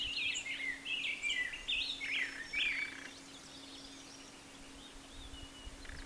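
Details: Rose-breasted grosbeak singing a rich, warbled series of short rising and falling phrases for about three seconds, then quiet, with a steady low hum throughout.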